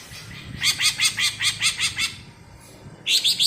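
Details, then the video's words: Bebeci song of a cucak ijo from Alas Purwo, Banyuwangi: a steady train of about nine loud, ringing chirps, evenly spaced, a pause, then a fresh rapid burst. "Suara Bebeci Khas Cucak Ijo Alas Purwo Banyuwangi"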